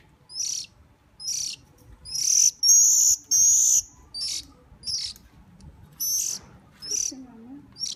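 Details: Hungry bird begging as it is hand-fed, giving a run of sharp, very high, hissy chirps about once a second, a few longer and louder, with soft background noise.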